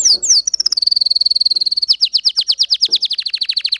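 A canary sings high, bright phrases: a few falling notes, then a fast, even trill, then a slower run of repeated sweeping notes, about eight a second.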